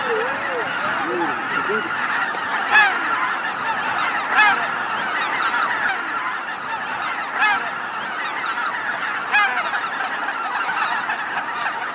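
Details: Large flock of greater white-fronted geese arriving at their roost on Miyajima-numa marsh in Bibai, Hokkaido, 2016; constant massed honking and yelping, a few nearer calls bursting loudly above the steady roar every couple of seconds.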